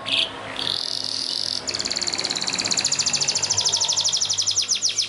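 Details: Yellow canary training song: after brief high notes, a long rapid rolling trill of tiny repeated pulses builds and slows into distinct falling notes.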